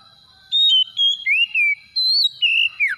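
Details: Kacer, the Oriental magpie-robin, in a lure song to make a hard-to-trigger kacer sing: a series of clear whistles with level notes and arched slurs, ending in a steep downward sweep.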